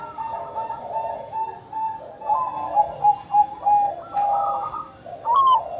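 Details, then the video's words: Bangkok-type zebra dove in full song, played as a lure to get other doves singing: soft mid-pitched coos that build into a run of short, clipped notes, with a faint high chirp near the end. "perkutut bangkok gacor"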